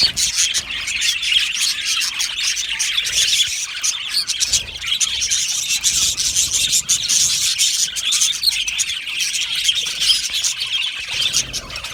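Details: Australian budgies in an aviary colony, a long stretch of restless, crowded high chirping and twittering that pulses in loudness but never stops.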